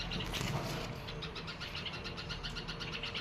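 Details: Nestlings begging while they wait for a parent to bring food: a continuous stream of high, squeaky peeps, about three each second, over low rumbling background noise.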